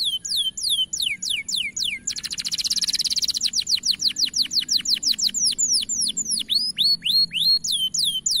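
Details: Bright-coloured canary singing continuously in a long, powerful training recording: repeated downward-swept whistles, a dense buzzy roll in the middle, then more looping, swooping notes at a fast, steady rhythm.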